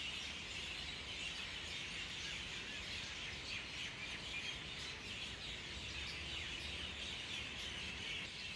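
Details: Small flock of Common Mynas perched atop a mango tree at roosting time under an overcast winter sky in Delhi; dense, continuous chattering and chirping without pause, over a low rumble of vehicle traffic.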